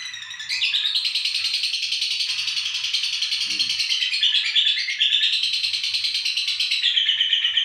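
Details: Female lovebird from Indonesia, kept as a fighter, chattering continuously: a dense, rapid stream of high buzzy chirps and squeaky twitters with no pause, rising into brighter squeals near the end.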